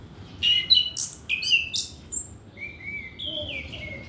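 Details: Orange-headed thrush song meant as a lure for young, still-untrained males: loud varied whistled phrases, sliding and buzzy notes high in pitch, delivered in quick bursts, then softer drawn-out descending whistles.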